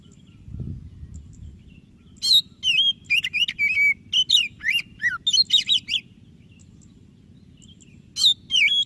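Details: Vigorously singing white-breasted Oriental magpie-robin, used as a lure for a lazy magpie-robin: after a low thump, a dense burst of varied whistles, trills and falling slurs, a pause, then a final short phrase.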